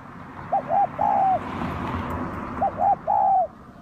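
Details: Tekukur (spotted dove) lure call of kacuk and kampung doves: two clear phrases, each two short hoarse coos and a long even coo, about two seconds apart, over a steady background hiss.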